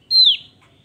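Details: Javan grey-throated white-eye singing vigorously: one clear, loud whistled note, steady and high, then sliding downward at the end, with near silence around it.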